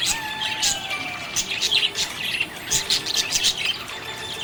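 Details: Happy budgie chatter: quick high chirps in irregular clusters with a long thin whistle near the start and steady group twittering behind.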